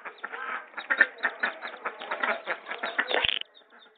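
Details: Muscovy duck calls: rapid overlapping short notes forming a continuous chattering stream that stops abruptly just before the end, leaving near silence.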